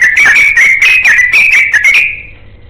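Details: Yellow-vented bulbul looking for a companion, pouring out a fast, bubbly run of liquid whistled notes that rise and dip rapidly, ending in a fading level whistle.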